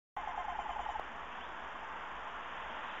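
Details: Tawny owls on 12 March 2018 at about 05:49, female in the nest box and male calling outside: a brief quavering run of low, rapidly repeated hoot notes under a second, then steady hiss.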